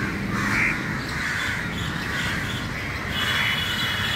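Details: Many crows assembled early in the morning, their rough kav kav caws merging into one unbroken chorus, with a low steady hum underneath.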